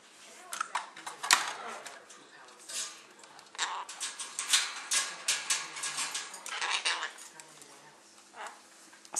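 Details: Male pet Quaker (monk) parakeet chattering short, scratchy bursts of mimicked words like "step up" and "give me a kiss", with a person's voice replying in a small indoor room.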